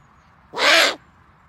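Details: Owl uttering a single rasping, breathy screech lasting just under half a second against a quiet background.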